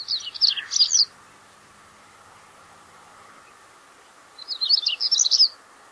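A common stonechat gives two short, scratchy, high warbled phrases about four seconds apart, each lasting about a second, over a faint steady background hum.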